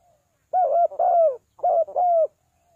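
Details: Luring call of a spotted dove: two doubled phrases of deep, throaty coos, each with a short lead note and a longer, descending tail, otherwise quiet.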